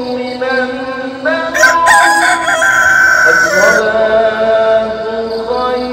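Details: Dawn rooster crow mixed with the morning call to prayer: a long, harsh, rising-then-falling crow of about two seconds cuts through a steady, drawn-out sung male voice, with faint pulsing insect chirps in the background.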